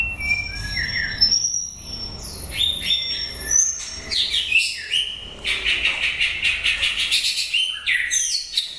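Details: White-rumped shama singing near the end of its breeding season, pouring out high whistles, downslurred notes and a fast rattling trill of bright, chattering notes.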